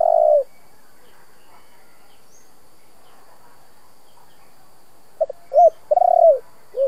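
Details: Spotted dove coo meant to stir decoy birds into calling. A long trailing coo opens, then near-silence, then one full phrase near the end: a brief note, an arched coo, a long rolling coo and a low final coo.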